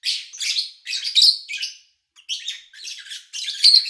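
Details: Lovebirds recorded in August 2019 at an owner's home with little human activity: harsh, squawky high chirps in two rambling bursts separated by a short silence.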